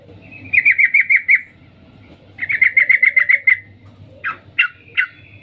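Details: Sooty-headed bulbul female calling a male with its 'cuk cuk' call: two rapid chattering runs of clipped notes, then three separate harsher, sharper notes at the end, with faint hum in the background.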